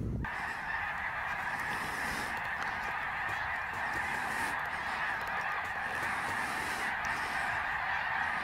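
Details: A huge fall-migration flock of greater snow geese passing over Ottawa, Canada, in 2021, calling at once: a steady, unbroken roar of high, nasal honks and yelps layered over one another throughout.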